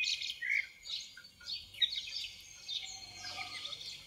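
Common blackbird singing, with a short fluted note followed by high, squeaky twittered phrases coming in quick bursts every second or so.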